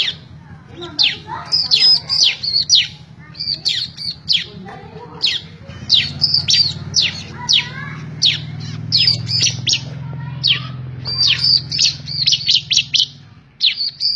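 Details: Bar-winged prinia singing for training other birds, recorded May 2017, quick bursts of thin high chirping notes in short clusters, over a steady low hum and faint background noise.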